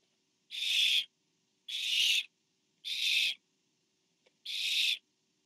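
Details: Barn owls at the nest during a food delivery from parent to owlet; four rasping, noisy hiss-screeches, each roughly half a second long, spaced a little over a second apart.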